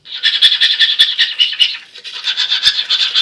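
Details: Male cockatiel copying toothbrushing, a continuous fast scratchy rasp of quick repeated strokes with a brief dip midway before it resumes steadily.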